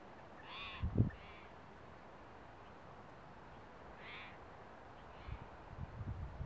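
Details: Gilded flickers courting at about 5 pm on 23 October 2012 in a preserve at Hacienda Heights, California: a few short, nasal, rasping calls a few seconds apart, with low thumps and rumbling noise beneath.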